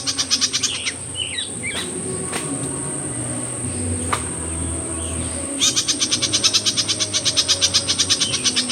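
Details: Myzomela recorded in raw observation footage, 25 December 2022: a quick burst of high pulsed chips, a gap with a few scattered faint notes and clicks, then another sustained run of rapid buzzy chips.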